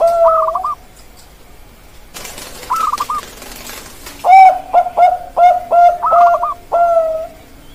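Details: Bangkok-type zebra dove (perkutut) singing: repeated cooing phrases, each a trilled, rolling note followed by a drawn-out mellow coo, with a quieter gap before a fast run of six phrases in the second half.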